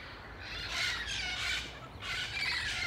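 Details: Wild parrots in San Diego, a large flock calling: harsh, broad squawks in two drawn-out bursts around a second long each, over steady low background rumble.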